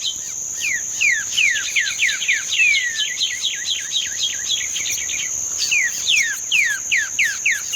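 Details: Green-winged saltator delivering "treme terra" song on 31 May 2025: strong rapid series of downward-slurred whistles, dense and rolling for five seconds, a brief gap, then a slower string of falling notes, backed by a continuous high cricket-like drone.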